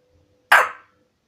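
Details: 12-month-old African grey parrot asking for a peanut indoors, giving one harsh, raspy, cough-like squawk about a third of a second long over a faint steady hum.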